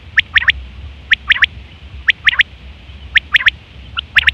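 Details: Quail hen calling, the sound used to draw quails during hunting season: clipped, bright notes delivered in quick groups of two or three, with pauses of nearly a second between groups and a faint background hum.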